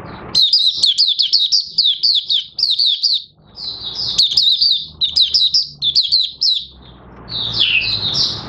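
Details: Oriental white-eye singing on 30 August 2022 as its new white feathers near full pigmentation; long energetic strings of rapid, high, down-slurred twitters with only brief breaks, ending in a lower warbled phrase.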